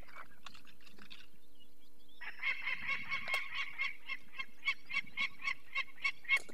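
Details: Falcon calls at a nest in the Barycz Valley, Poland, 2 May 2023, where a chick with eye problems was taken; the alarmed adult female gives harsh, grating kak notes, nearly four a second, after scattered rustles and knocks.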